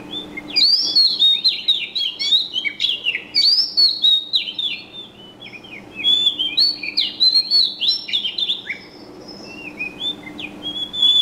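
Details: Birds chirping: a lively, continuous run of high, quick whistled and twittering notes, many short sweeps tumbling over each other with hardly a pause, over a faint steady low hum.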